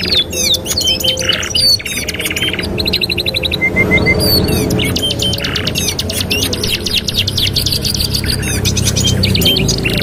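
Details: Canary song serving as a master for training canaries, a long medley of rapid chirped sweeps, short level whistles, buzzy rolls and rattling trills, with continuous low rumble underneath.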